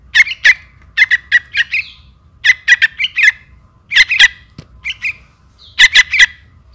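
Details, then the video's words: Trukan young calling its mother, used as lure audio: rapid rasping chirps in rhythmic runs of three to five notes, pausing briefly between runs. "anak trukan memanggil induk"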